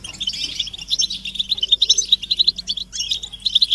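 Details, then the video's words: Several European goldfinches twitter together in mating and readiness calls meant to stir males into song; rapid bright chirps and liquid notes pulse in quick bursts, pausing briefly near the end before resuming. "بتبتة الحسون تحفيز الحسون على التغريد والهيجان علاج صمت الحسون goldfinch stimulation"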